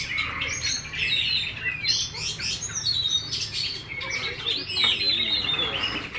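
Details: Caged champion Oriental magpie-robin with a fully fanned tail. Loud whistled notes, slurred rising calls and scratchy bursts follow one another without break.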